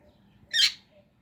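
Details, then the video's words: Indian ringneck parrot giving a single short, harsh, high squawk that rises and falls within about a quarter second, with otherwise quiet background. "Indian Ringneck Parrot Chirping Sounds"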